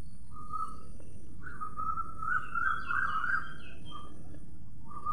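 A sparrow gives short, bright chirping notes, some run together into a longer warbling phrase, over a steady low rumble of wind or distant traffic.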